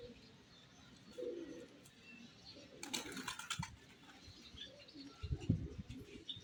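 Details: Pigeon in the morning giving a few low, soft cooing phrases, separated by gaps, with bursts of clattering noise and faint background chirps.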